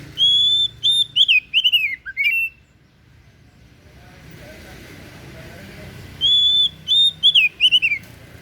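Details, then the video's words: Oriental magpie-robin (kacer daput) singing: two loud phrases of clear whistled notes, a sustained high whistle then quick slurred, falling notes, separated by a pause of about three seconds over faint low rumble. "KICAUAN KACER DAPUT MEMPESONA"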